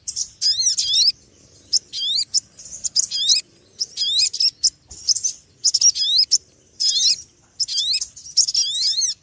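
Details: Small noisy birds: bursts of sharp, high chirps with hooked notes that bend down and rise again, in clusters roughly every second with short pauses between them. The background is quiet.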